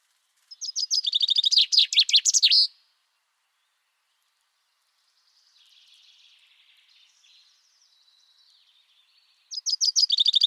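A common chaffinch gives a bright, rattling trill that speeds up and ends in a flourish. A softer chirp follows, then the next phrase begins.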